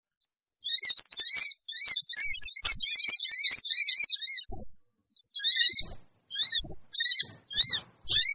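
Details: Sooty-headed bulbul lure call for gathering wild birds: a long, hurried, scratchy chatter of high chirps, then a series of shorter separated squeaky notes with brief pauses between them.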